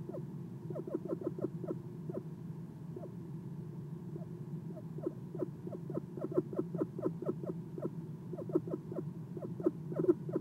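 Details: Nighttime nest box visit by an Eastern screech owl, soft chirping from the perch: irregular clusters of short descending notes, a brief lull near the middle, then a denser, slightly louder run toward the end.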